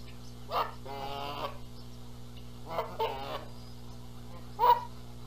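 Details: Canada geese at a nest in Charlo, Montana, 14 April 2022, squabbling over who sits on the eggs while the gander flies in calling: several harsh, nasal honks in short bursts about a second apart, low steady hum behind.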